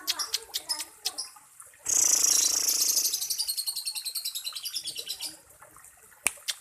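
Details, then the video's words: Active baby lovebird, used to prompt other young lovebirds; a rapid run of high, buzzy chattering notes lasts about three and a half seconds, with scattered sharp clicks and ticks before and after. "Love bird Baby aktiv"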